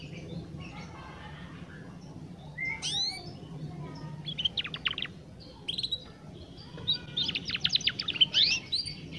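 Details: Young canary practising its song: scattered high chirps and sweeping notes build into rapid clusters of sharp trilled phrases, with a steady low hum underneath.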